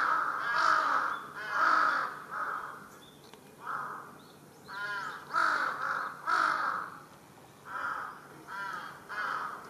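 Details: Large-billed crow making a commotion on a utility pole in a residential area, filmed 1 July 2023: harsh, hoarse caws repeated about once a second in loose series, some notes with a nasal, wavering quality.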